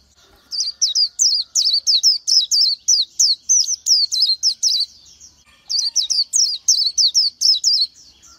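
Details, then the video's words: Oriental white-eye delivering two bursts of rapid, high, tinkling whistled notes, each wavering downward, about three per second, separated by a short pause, over a faint low hum. "Chim hót hay Vành Khuyên họng vàng đông dương | นกแว่นตาขาวสีทอง| Oriental White-eye"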